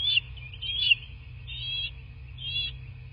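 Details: Bald eagle calling from its nest in southwest Florida, nest cam, morning of 17 March 2024: a rapid series of high, squealing whistles, four notes in about three seconds, the later ones softer and wavering.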